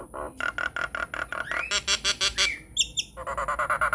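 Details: Loud, chatty Nias hill myna lure song meant to set non-singing mynas replying: rapid harsh, honking squawks in a steady beat, a long rising whistle, a few high piercing notes, then more raspy chatter.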